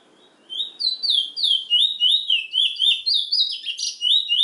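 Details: Trinidad bullfinch (chestnut-bellied seed finch) singing: a quick run of sweet, slurred whistled notes, each dipping and rising, about three or four a second, with thin higher overtones and a quiet start before the song.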